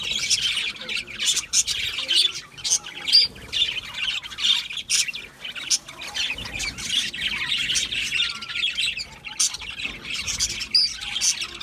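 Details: Budgie parrots in a long stretch of pulsing flock chatter, rapid high chirps and squawks rising and falling in bursts.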